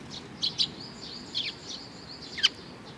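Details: Sparrows arriving to be fed on 15 May 2019 give a handful of high, clipped chirps, some paired in quick doublets and one sliding downward, spaced irregularly across a few seconds against faint background hiss.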